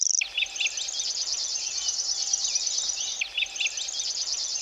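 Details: Common Grasshopper Warbler singing nonstop with bill open for about two minutes by the Vistula near Gdańsk, Poland; a continuous high, insect-like reel of fast repeated ticks, with a few brief chirps from other birds and a faint steady hum beneath.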